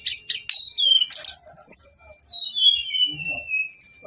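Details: Male brown-chested jungle flycatcher, long rolling 'ngeroll' song: a few quick high chirps and trills, then a long thin whistle sliding steadily downward, with faint wing flutters and soft low rustles.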